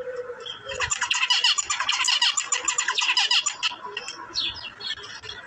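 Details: Zebra finches in India giving a dense stream of short, nasal, buzzy calls, rapidly repeated and overlapping from several birds, high-pitched and continuous over the whole stretch.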